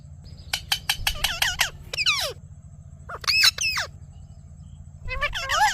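A ring-necked parakeet talks in three quick phrases of scratchy, nasal, speech-like syllables with gliding tones, over a low steady hum.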